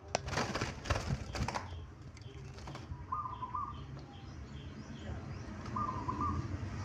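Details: Local archipelago zebra dove: a loud flurry of wing flaps opens, then two brief bursts of quick, beaded cooing notes follow a few seconds apart. Faint high chirps and low background noise continue underneath.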